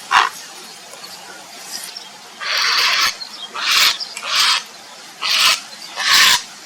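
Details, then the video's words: Calling for a mate, a grey heron (Ardea cinerea) utters harsh, hoarse croaks, about six in a loose series with irregular spacing, each one grating and broad-toned. "เสียงนกกระสานวลร้องหาคู่ Grey Heron call"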